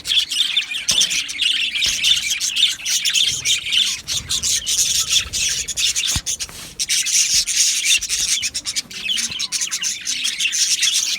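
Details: A colony of Australian budgies in an aviary, 12 July 2025, chirping and squawking in a steady rasping chorus of many overlapping high notes, with a few sharp clicks scattered through it.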